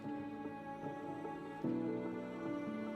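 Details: Gentle instrumental music with sustained tones and soft plucked notes, with no animal sounds.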